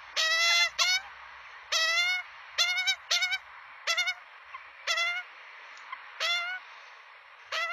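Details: Australian magpie chicks begging at feeding time on a nest camera in Melbourne, 23 September 2022, 11:53: harsh, nasal, harmonic-rich squawks in quick bursts, often doubled, repeated about every half to one second against a steady background hiss.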